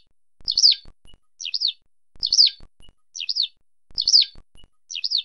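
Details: A Eurasian skylark (Alauda arvensis) gives high, liquid rolled chirrups, a pair of notes roughly every two seconds, with faint low clicks beneath; these are calls.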